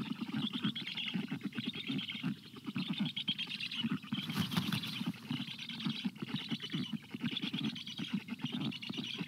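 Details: White stork chicks in a nest in very hot weather, begging calls for water that differ from food begging; dense rapid rasping chatter, continuous throughout, with a brief splash of water midway.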